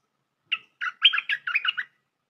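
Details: Trapping lure recording of a bulbul: one clear note followed by a tumbling series of six or so liquid, bubbly chirps.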